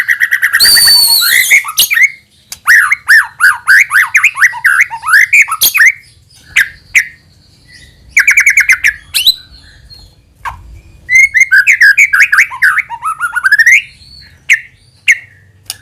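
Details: White-rumped shama lure recording to make other shamas sing; a harsh burst, then long runs of rapid rising whistled sweeps, pauses with scattered clicks, and another rising sequence.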